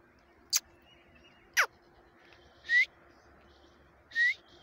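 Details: Quail calling in jungle on 6/1/2021: four short, sharp notes spaced about a second apart, the first two clicking and abrupt, the last two brief upward-sweeping whistles, over a faint steady hum.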